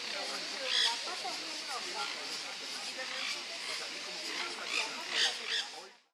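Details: Nanday parakeets (Aratinga nenday) at Costanera Sur, Buenos Aires, Argentina, in March 2022 give harsh, grating screeches in two louder bursts over a steady hiss of noisy chatter.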